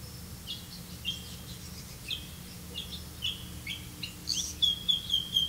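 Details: Grey-capped greenfinch catching crickets for its young: a quick run of high, thin chirps, several each second, growing louder and closer together near the end, over faint low rumble.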